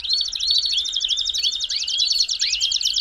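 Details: Belgian canary song, for warming up a canary: quick, evenly pulsed trill carrying a few rising whistles, steady and loud from start to finish.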